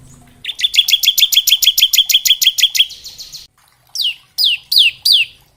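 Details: Ciblek or bar-winged prinia performing ngebren song variations for tutoring young birds: a long, rapid, metallic trill of about three seconds, then four loud separate downslurred whistles.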